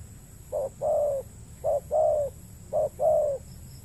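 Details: Spotted dove cooing at a lure-trapping site on peat land in Indonesia's Riau Islands. Three short-long pairs of soft, low coos come about a second apart.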